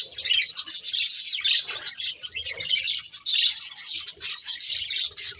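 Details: Continuous busy warbling and high twittering from a budgerigar breeding pair, dense overlapping chirps with barely any pause.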